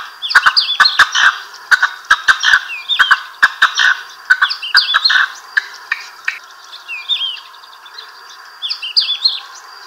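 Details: Four common cranes including a juvenile, moving and feeding on wide fallow and stubble land at La Duquesa on the western Manchegan plain between Daimiel and Villarrubia, near Tablas de Daimiel; overlapping trumpeting and squawking calls with sharp clicks.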